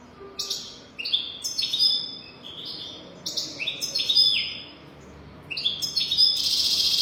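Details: Goldfinch singing for tutoring young goldfinches: rapid liquid twitters and short buzzy slurred notes strung into irregular phrases with brief gaps, ending in a harsh rasping burst.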